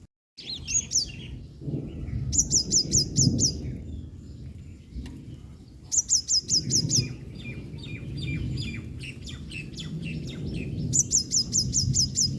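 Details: Olive-backed (yellow-bellied) sunbird calling while drying itself after being drenched in rain, giving quick bursts of thin, very high ticking notes, about six per burst, every few seconds, over a steady low rumble.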